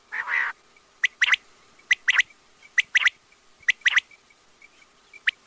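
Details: Quail calling: after a short buzzy burst, sharp clipped notes come in tight groups of two or three, each group about a second apart, over faint high chirps.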